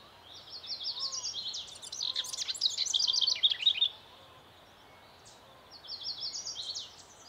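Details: Broad-tailed hummingbird, a female at her nest, with bursts of rapid high chittering notes around 1 to 4 seconds, then quieter, and a second shorter run of thin twittering near the end against faint background hiss.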